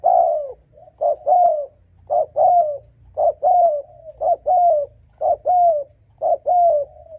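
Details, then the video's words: Spotted dove giving a lure coo meant to provoke rival males: steady, loud, mellow low-pitched coo phrases, each a short note followed by a longer slurred one, repeated roughly every second. "Âm thanh Cu gáy thúc gù kích bổi đồng ÁC LIỆT"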